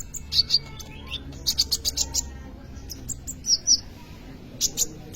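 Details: Sunbird, locally kolibri ninja, singing as a training lure for other birds: high sharp chips in short clusters, a brief run of rapid notes, then bright separated calls.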